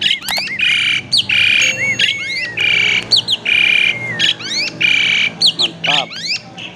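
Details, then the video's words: Loud varied song of a caged Asian pied starling, used as a lure to set other birds singing: harsh buzzy squawks alternating with rising whistled slurs and quick chatters, repeated roughly every half second. "Burung Jalak Suren Super Gacor, Pancingan Jalak Suren, Jalak Suren Bunyi Variasi"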